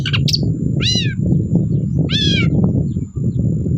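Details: Long-tailed shrike calling, used to make quiet birds sing: two loud harsh arched rasping calls about a second apart, plus a few high chirps at the start, over constant loud low rumbling noise.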